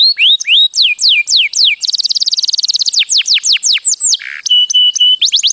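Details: Mating song of a canary: rising whistles, falling sweeps, a dense rapid trill, then drawn-out flat whistled notes and further quick downslurs.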